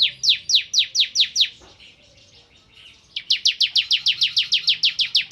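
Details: Crystal white-eye in lively song, a series of sharp downslurred high notes repeated about five per second, a short pause with soft twittering, then a longer run of the same rapid slurred notes.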